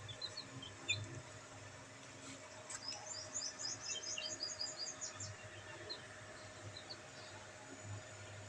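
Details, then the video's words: Black bantam chicks enjoying sunlight, giving a burst of quick, high, thin chirps in rapid succession through the middle of the stretch, with scattered single peeps before and a low steady hum underneath. "Bantam Chicks Enjoying sunlight |Black Bantam Chicks |Chicks Chirping Sound"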